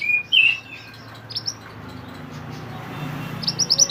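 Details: Mountain mantenan bird in song, recorded as training material for songbirds: a brief high whistled phrase at the start, a few faint notes, then quick high chirps at the end over a low background hum.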